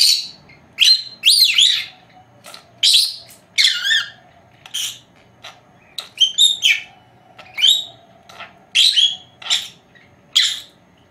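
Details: Two 4-month-old female lovebirds napping, which mimic household words, whistles and kisses, give sharp, high chirps and buzzy twitters in short bursts about every half second to second, with a faint steady background hum.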